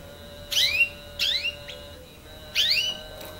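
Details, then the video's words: Three clear falling chirps, one with a short tail, from a nine-month-old canary learning to sing, over a faint constant high tone. "canaris 9 moins chans تعلم التغريد لكناري 9 أشهر"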